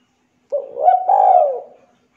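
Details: Spotted dove, a clear recording meant as a lure and tutor to make other doves coo, giving one soft, low, mellow coo that swells, holds steady and fades away over about a second.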